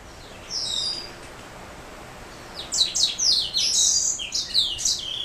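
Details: Black throat mule, a canary hybrid, singing: a short high twittering phrase, a pause of nearly two seconds, then a rapid run of sharp chirps and trills.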